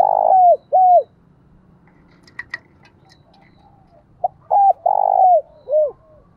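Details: Decoy spotted dove cooing, the phrase of short lead note and three falling coos heard twice, the long middle coo rough and buzzy; two brief sharp clicks in the pause between phrases.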